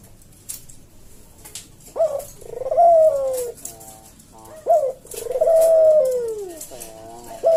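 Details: Caged-bird tutor recording of a Javanese puter dove singing slow senggang kuk deruk: each phrase opens with a quick clipped coo, then a long purring note gliding downward, repeated twice with soft pauses between.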